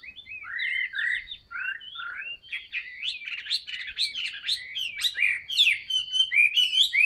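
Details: A male Chinese hwamei sings a rich, fast run of varied whistles and slurred notes, starting lower and becoming louder, busier and more complex, with no other sounds.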